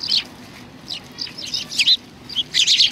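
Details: Several sparrows coming for food at a Tenmangu shrine on 25 November 2020 give scattered high, buzzy chirps separated by short pauses, ending in a dense overlapping burst.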